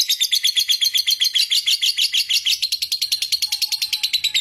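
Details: Lovebird giving its long 'ngekek' trilling song, which stimulates other lovebirds to keep singing without stopping: a rapid, even chatter of high, sharp chirps running unbroken, with a faint thin tone near the end.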